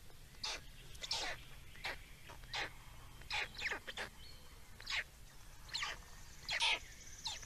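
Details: Feeding black storks recorded in Estonia on 17 May 2019, giving rasping, wheezy squeals repeated irregularly about once a second, some louder and doubled, against a low constant hum.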